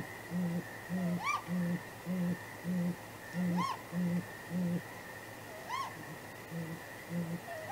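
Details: Night at a great grey owl nest, 23 April 2019: the pair exchange contact hoots, possibly mating; strong deep hoots repeated about twice a second, fading later, with three higher swooping arched cries over a steady hum.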